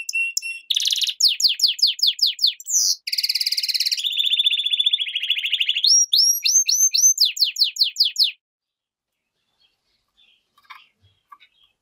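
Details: A goldfinch × canary hybrid sings a long varied phrase of sharp descending chips, a buzzy rolling trill and upswept whistles for about eight seconds, then near silence with faint clicks.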